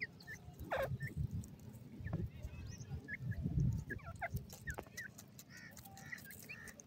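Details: Golden ringneck pheasant chicks peeping: many small, high chirps and a few louder falling notes at irregular intervals, mixed with low bumping and rustling noise.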